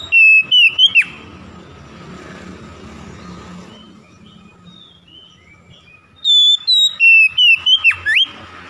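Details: Oriental magpie-robin lure song to make silent birds sing: a short volley of sharp whistled notes with a downward flick, several seconds of faint chirps over low traffic-like rumble, then a longer rapid string of clear whistles and falling slurs.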